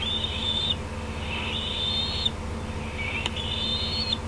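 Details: Decorah bald eagle nest, evening of 18 June 2016, parent on an outer limb and juveniles coming over: three drawn-out high whistled squeals, separated by short gaps, against constant background hum.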